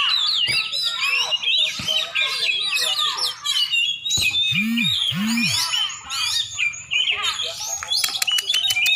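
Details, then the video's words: Champion Oriental magpie-robin in Aceh, Indonesia, singing fast, tumbling whistles and chirps. Two low swooping tones occur midway, and sharp clicks come near the close. "Kacer juara"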